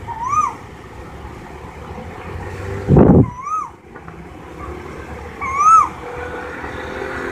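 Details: Asian koel calling: three clear whistled notes, each swelling and curving upward, spaced about two and a half seconds apart, with a brief loud broadband thump near the middle and low background rumble.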